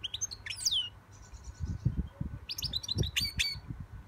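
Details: A young European goldfinch (Carduelis carduelis) sings two bursts of rapid, tinkling, high twitters with quick sliding notes over soft low thumps and rustles.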